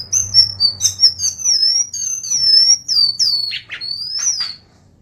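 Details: Tutor recording for songbirds of a golden-bellied gerygone (srikatan) in kerongkongan style: long, high, sweet whistles that waver and slide, with quick downward slurred notes mixed in, fading out at the end over a soft low hum.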